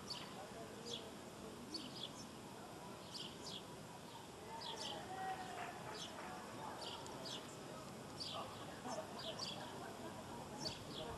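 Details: Southern martin (Progne elegans) recorded in Córdoba in December, giving short, bright chirps in quick irregular series, with a steady background hiss and what may be faint voices.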